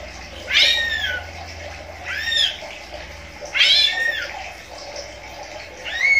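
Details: Captive greater green leafbirds (cucak ijo) kept as a breeding pair: four loud, arched, harmonic calls that rise, then slide down, somewhat mew-like, spaced about 1.5 seconds apart, with faint low hum in a small room.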